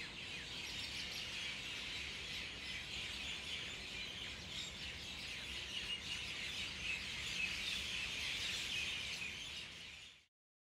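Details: A flock of common mynas at roosting time atop a mango tree in overcast winter Delhi gives a dense, unbroken chorus of harsh chattering, squeaky and whistled notes; jungle babblers and vehicle traffic are in the backdrop.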